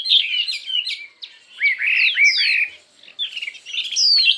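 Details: Chinese hwamei in a singing contest, delivering many voices: loud, clear whistled phrases that slur up and down, some sharply rising notes, broken by a short pause before a second bright burst of varied whistles.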